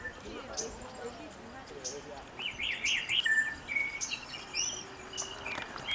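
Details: Mourning warbler recorded at Collingwood, Ontario, Canada: a quick rolling burst of slurred, buzzy notes in the middle, with scattered thin high chirps from other birds and a steady low background hiss.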